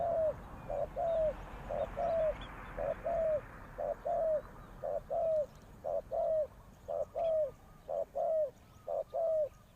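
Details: Spotted dove decoy luring wild doves, delivering a regular series of about twenty short throaty coos, each slurring slightly downward, evenly spaced roughly every half second with a steady quiet background.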